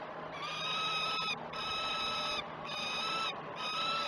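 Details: Wailing peregrine falcon calls recorded by the Great Spirit Bluff live nest camera at breakfast feeding, 09:07, 21 June 2018. Three long, level, rich-toned cries, each lasting about a second, follow one another closely over a constant hiss.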